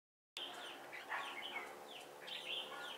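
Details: Red-whiskered bulbul used as a decoy while trapping at Chùa Hương on 28 November 2017. Fairly quiet, sweet warbled phrases of whistled notes gliding and bending, over a steady hiss.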